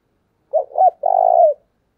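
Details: Spotted dove used as a decoy to lure wild doves, uttering one coo: a pair of quick hooting notes and a prolonged purring note that fades downward; no background noise.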